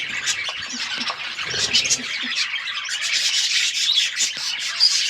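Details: Budgerigars described as wild budgies, kept in an outdoor aviary, chirping as a flock: dense, continuous high warbling and twittering with scratchy chirps overlapping throughout, a few soft low thumps early on.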